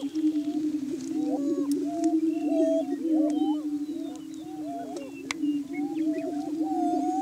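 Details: Morning courtship on a Kansas lek: Greater Prairie Chickens give a droning low boom overlaid by repeated upslurred whoops and cackles, with a few thin higher calls and sharp clicks in the background.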